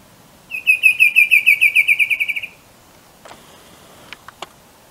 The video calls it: Dysithamnus occidentalis Bicolored Antvireo